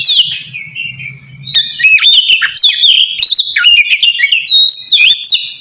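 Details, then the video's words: Loud oriental magpie-robin calling to challenge a rival, used to lure silent birds into song; a descending whistle, then rapid sequence of clear whistled and rasping notes. "suara kacer ngeplong memanggil lawan"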